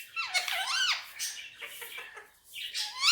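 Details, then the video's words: Indian ringneck parakeet on a table giving a squeaky, swooping mimicked phrase in Urdu/Hindi, a high dipping-and-rising tone followed by softer rasping syllables and a final upward squeal. "Mitthu talking on table || so cute Mitthu is very sweet talking || And lovely parrot Urdu/Hindi"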